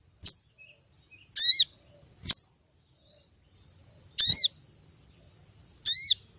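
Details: Female common iora calling to arouse male contest birds. Three layered, downward-sweeping high notes alternate with single sharp chips, spaced one to two seconds apart, over a quiet background.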